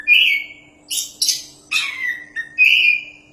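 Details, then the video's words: Champion Oriental magpie-robin (kacer) singing vigorously, offered as tutor material for other songbirds: clear whistled notes around the upper-middle range alternate with harsh, broadband buzzy bursts, about six phrases spaced by short pauses. "BURUNG KACER JUARA GACORRR PAS BUAT MASTERAN"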